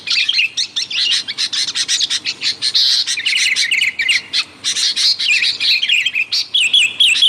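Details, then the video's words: Busy sooty-headed bulbul chatter intended to lure wild birds: harsh, dense chirping in rapid strings, interspersed with bubbling warbled phrases, nearly without pause. "mp3 suara burung kutilang ribut gacor, 💯% sangat ampuh buat Pikat kutilang liar"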